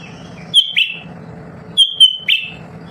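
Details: Lesser green leafbird kept at home, a nonstop singer used to make other birds sing back. Bright sustained whistles are each followed by a rough downward buzz, twice in three seconds, with faint very high ticks and a steady low hum.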